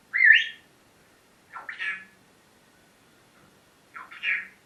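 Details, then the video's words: Pet parrot in a lively morning vocal session indoors: three separate harsh, squawky utterances with a quick upward swoop, spaced about two seconds apart in a quiet room. "My parrots morning talking session"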